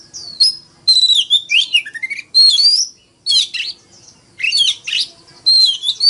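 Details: Oriental magpie-robin decoy in a forest-voice fighting song meant to spur morning singing: dense, rich whistled phrases with rapid trills and slides, in loud bursts about a second long.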